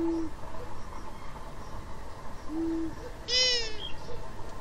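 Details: Long-eared Owl, an individual with a very nasal voice. It gives low, soft, nasal hoots about two and a half seconds apart, with a brief harsher, higher call near the end.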